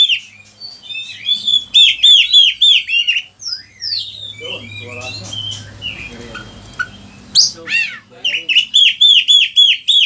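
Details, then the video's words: Oriental magpie-robin singing energetically, kept bird song used to stimulate and tutor others: rapid series of downslurred whistled notes repeated several times a second, a noisy broken middle section, then the repeated slurs resume. "Pancingan suara kacer gacor, bongkar isian burung"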